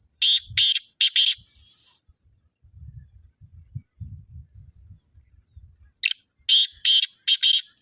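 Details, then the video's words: Evening recording of a black francolin, kala teetar, at 6:15 on 21 February 2025: two bouts of loud, harsh, grating notes, three at the start and about five after a pause, with low murmuring sounds between. "kala teetar ki awaz | black francolin voice"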